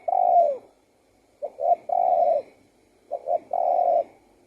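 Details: Spotted dove singing: low, mellow cooing phrases, each two short soft notes followed by a longer drawn-out coo, repeated about every one and a half seconds; quiet background otherwise.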